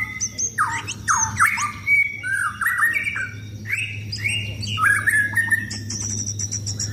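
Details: White-rumped shama kept for contests, singing while being sunbathed in its cage: loud varied phrases of falling and rising whistles, rapid trills and high ticking notes, over a steady low hum.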